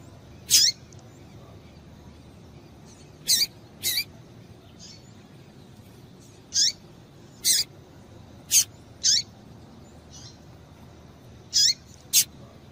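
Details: Female double-collared seedeater calling to excite males, a long run of about ten short, high, downward-sliding chirps, irregularly spaced and sometimes paired, with quiet background hiss.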